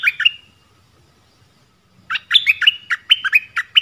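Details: Dok taeng bird kept as a decoy in the forest, calling a mate; a short chirp pair, almost two seconds of quiet, then a quick series of sharp, slightly varied chirped notes.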